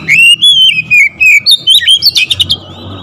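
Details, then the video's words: Oriental magpie-robin singing constantly to provoke other magpie-robins: drawn-out wavering whistles at first, then quickening into a rattle of short, sharp chirps, over a faint steady hum. "TERAPI KACER LAIN LANGSUNG TERPANCING EMOSI GACOR DOR"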